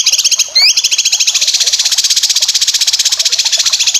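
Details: Cucak kinoy song used for training competition birds: a fast, steady trill of buzzy high notes repeated about twice per second, opened by a brief sweeping whistle.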